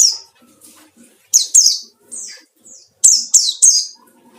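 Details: White-eye singing as a lure for rival birds: high, thin, downward-sweeping notes given in tight pairs and triplets, separated by short silences.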